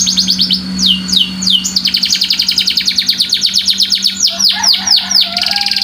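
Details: White canary singing in a long unbroken run of rapid trills, with sweeping downward whistles at the start and near the end; a steady low hum runs beneath.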